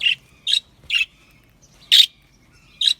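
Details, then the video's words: Australian budgerigar chirping in an aviary: short, sharp high chirps repeated about every half second, then a pause before two louder chirps, over a quiet background. "Australian Budgie parrot sounds | Budgie parrot chirping sounds"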